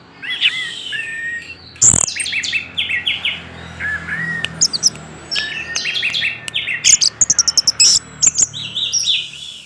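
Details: Orange-headed thrush in nonstop 'gacor teler' song, played as a lure to set silent thrushes singing: rich, varied phrases of high whistles and chirps, a sharp burst near two seconds, then rapid clipped notes near the end.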